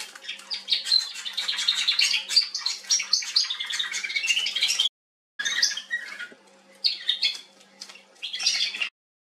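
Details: Atlantic canary singing in Remscheid, Germany, on 19 October 2021: a fast, dense warble of high twittering and trilled notes, run together in long bursts with a short pause midway, then broken phrases; faint low hum beneath.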